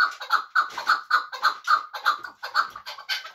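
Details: Hunting chukar partridge from Muminobod giving strong, harsh clucking notes in a regular, pulsing series of about three per second.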